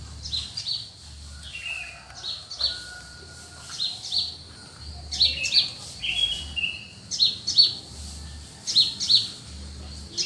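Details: Birds at early morning in the cool countryside, giving high, bright chirps in short clusters every second or two, some with brief descending trills, over a soft low background hum.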